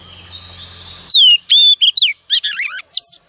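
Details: A female Oriental magpie-robin, wild-caught, sings to excite males. After a low background hum, loud clear whistles begin, with down-swept slurs, short chips and buzzy rippling notes in quick succession.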